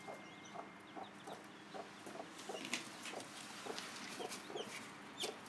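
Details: Mother hen making a special sound to show her chicks where the food is: soft low clucks roughly every half second, with faint high chick peeps and background hum.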